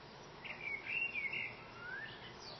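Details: Common blackbird singing outside a window: a short rich warble of looping whistled notes followed by a quieter descending slur, with light background hiss.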